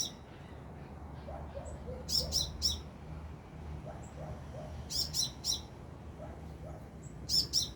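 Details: Wild sunbird singing about two meters overhead: bursts of three sharp, high chirps that come roughly every two and a half seconds, with softer low notes in between and a steady low background hum.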